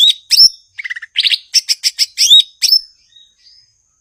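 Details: Cucak ijo (blue-winged leafbird) pouring out a rapid song of whistles, low stuttered notes and a run of quick chattering pulses, ending with soft fading notes.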